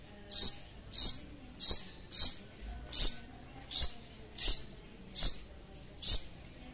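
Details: Long-tailed shrike calling out to a rival as a lure: a piercing, high single note given nine times in an even series, each one abrupt and short, with quiet gaps between.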